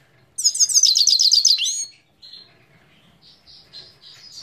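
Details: A Himalayan goldfinch from Parachinar bursts into a loud, rapid, glittering trill of high notes for about a second and a half, followed by softer, spaced chirps and short whistled phrases.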